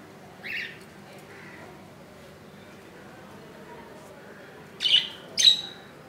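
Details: Budgie nest on the second day after a tiny chick hatched at 2 AM on 15 July 2018; one faint raspy call and a softer one, silence, then two sharp high squawks close together near the end.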